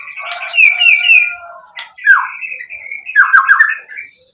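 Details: White-rumped shama lure song to get listening birds answering and singing hard, packed with mimicked material. Trilled whistles and a sharp click lead into downslurred rattling bursts, with a quieter tail.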